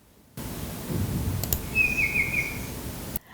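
A Greater Racket-tailed Drongo gives a single high, steady whistle about a second long, imitating a Banded Bay Cuckoo, over soft hiss with a couple of faint clicks.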